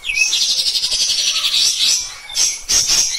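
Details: Caged white-shouldered triller used as a master recording to train other songbirds: a fast, dense, high trill with rapid repeated notes, broken by short pauses and a final burst.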